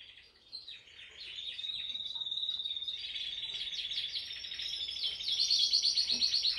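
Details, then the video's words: Canary singing steadily while held in the hand: a continuous high warbling flow of trills and whistled notes, ending in a fast tinkling rattle, with steady background noise. "kenari gacor di tangan"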